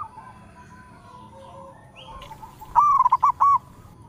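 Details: Zebra dove of a local strain calling. A quiet stretch with faint background cooing gives way to one loud, short phrase of quick, choppy coos that rise and fall.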